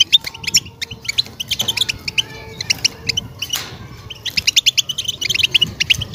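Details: European goldfinch mating song meant to stimulate a breeding-ready female; quick liquid twitters and tinkling chirps in bursts, a short pause mid-phrase, then a fast rattling run.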